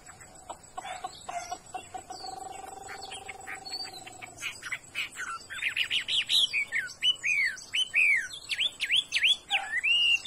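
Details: Chinese hwamei kept for its good voice: soft ticking clicks and a held low tone give way to a loud run of repeated swooping whistles, each rising then dropping, roughly two per second.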